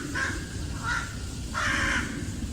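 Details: American Crow at John Chesnut Sr. Park, St. Petersburg, Florida, calling back to another crow as it had for some time, other birds in background: three harsh, hoarse caws in quick succession, the last drawn out longer, over a low rumble.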